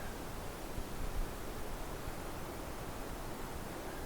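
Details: Steady broadband hiss like rushing water or surf, with no animal voice.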